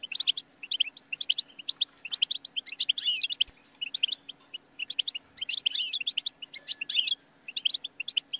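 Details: Busy European goldfinch twittering, fast high chirps with buzzy, richer passages and a few sharp slurred notes, almost continuous, over a faint low hum.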